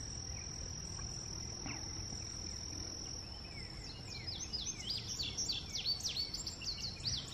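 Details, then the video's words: Indigo bunting: a rapid run of high, sharp down-slurred chirps that grows louder and denser in the second half, over a steady high insect whine and low background rumble. "Indigo Bunting ---sounds"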